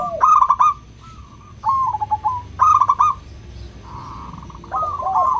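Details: Loud local zebra dove song meant to coax other doves into singing: crisp stuttering phrases with trilled tails, about one every two seconds, a softer second dove interjecting with a steady buzzy trill.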